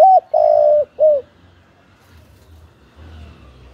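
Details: {'caption': 'Decoy spotted dove cooing to provoke wild doves: three mellow coos in quick succession, short, long, then short and slightly falling, before faint background rumble.'}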